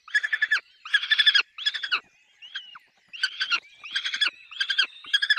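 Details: Peregrine falcon calling at the nest with chicks: harsh stuttering cack notes run together in bursts, with a short thin whine in the middle pause.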